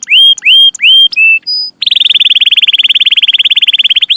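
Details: Young-canary tutor song. Three loud, rising-then-level whistled notes and two short higher tones, followed by a long, even, rapid trill of clipped notes.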